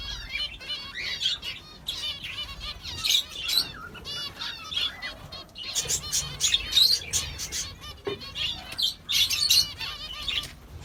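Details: A flock of sparrows chatters continuously. Tight clusters of high chirps swell in loud bursts at irregular intervals, with wingbeats in between.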